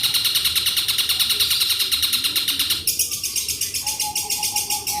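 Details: Javan long-tailed shrike delivering its mimicry repertoire in the fast 'petir' style, long and repeated. A loud, harsh chatter pulses several times a second, then switches to a thinner pulsed run with a steady whistle.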